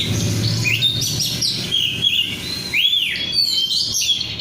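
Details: Oriental magpie-robin of the 'rudal korea' kind, an untrained hobby bird, in full song: mixed chattering notes, then rounded rising-falling whistles and bright slurred phrases, with a low background hum.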